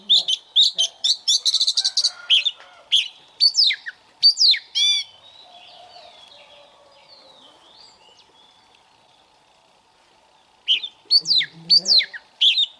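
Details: Oriental magpie-robin singing as a decoy for morning voice training: loud, varied whistled phrases and sharp rising notes in quick bursts, a near-silent pause in the middle, then more rapid whistles at the end.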